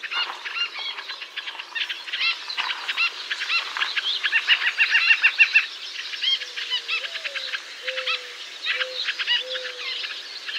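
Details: North American forest recording of a White-breasted nuthatch giving quick series of stacked, nasal call notes over a busy chorus of birds, with a few low, smooth whistled hoots later on.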